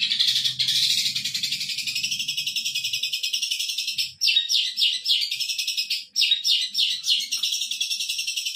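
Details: Training song of a long-tailed shrike for captive birds: a fast, steady buzzy trill that breaks into a series of quick downslurred chirps, each dropping in pitch, repeated several times per second, over a faint low hum at first.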